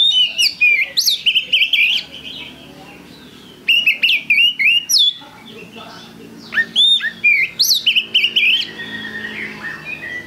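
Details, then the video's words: Kacer, the Oriental magpie-robin, giving lure song; energetic bursts of loud whistles and clicky notes, two main phrases with a quieter gap between, faint hum in the background. "Pancingan Kacer Gacor"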